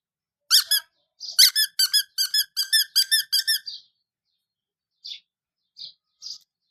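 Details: Colourful baby chicks kept indoors with heat provided, calling in a rapid run of loud, shrill, evenly spaced cheeps, about ten in two seconds, then a pause and a few softer peeps, in a small room.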